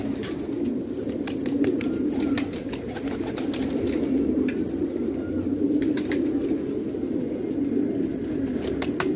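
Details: Fighting pigeons kept in a village at Khanabad, Afghanistan: a steady low murmur of many birds cooing together throughout, with scattered sharp clicks and wing flutters above it.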